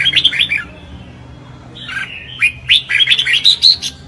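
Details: Red-whiskered bulbul in a singing contest, chào mào hót đấu: a short warbled phrase, a pause, then a fast, bright sequence of whistled chirps and upslurs climbing in pitch.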